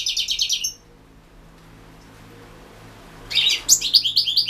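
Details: Competition recording of a European goldfinch from the 2016 internet world goldfinch song championship: a rapid twittering phrase, a pause of nearly three seconds, then bright, chirping notes resume over a faint low hum.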